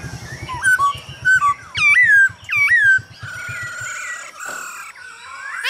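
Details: Hwamei male song prompted by female calls, meant for training birds to sing: varied downslurred and hooked whistles, loud and ringing, over a rapid low ticking pulse that fades midway, ending in softer warbles.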